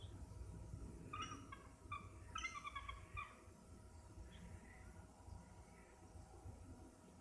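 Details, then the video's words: Bald eagle heard just after sunset on a hot July 2009 evening over Skagit Bay, Camano Island, Washington: quiet, rapid high-pitched chattering piping notes in two short bursts, with a constant low hum beneath. "Bald Eagle Calling"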